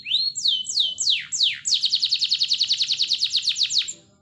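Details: Singing canary, recorded as a lure to make other canaries sing: a few long whistled slides falling then levelling, followed by a rapid even trill of short downward strokes that fades out.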